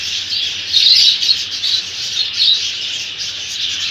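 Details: Lovebirds fighting, in India: continuous harsh, high-pitched chattering and squawking, with brief louder bursts, busy and unbroken throughout.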